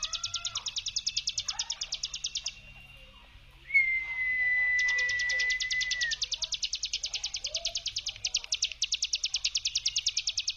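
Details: Mountain prinia brem used to draw out and excite other prinias: rapid high buzzy pulses, a pause, a clear falling whistled tone, then the fast pulsed trill resuming, with soft low notes.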